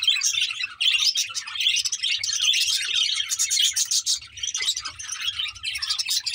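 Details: Budgies recorded on 24 May 2024 chatter continuously in a dense, high-pitched warble of rapid chirps and buzzy notes, with a faint low hum beneath.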